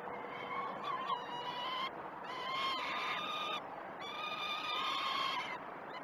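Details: Peregrine falcon chicks at the Great Spirit Bluff nest cam begging on 12 June 2018: three long bursts of harsh, nasal, harmonic screaming with brief pauses, over continuous background hum.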